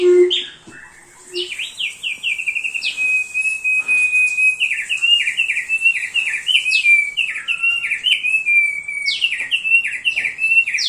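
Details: Constantly singing thick-billed heleia, well suited as a training master: long sequences of lively, sliding chirps in rapid succession, preceded by a brief low tone.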